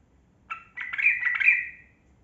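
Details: A single rich, gurgling warbled phrase lasting about a second from a yellow-vented bulbul, or trucukan, whose continuous song is used to draw quiet caged birds into singing.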